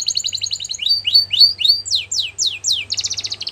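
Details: Singing canary, song for tutoring young birds: a fast high trill leading into slower, louder down-slurred whistled notes repeated about three per second, ending in another rapid trill over a low hum.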